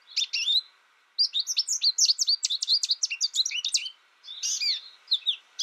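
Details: American goldfinch, a young bird raised alone and tutored by a recording rather than other birds, delivers a long, fast run of bright twittering and chirping notes after a brief opening burst, with a faint constant hum behind.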